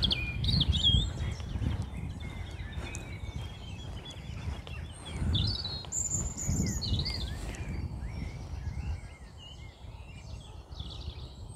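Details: Several song thrushes sing in near-darkness before dawn, about three in a triangle, loud, varied whistled phrases each repeated three to six times, amid a dawn chorus of blackbirds and robins over a steady low rumble.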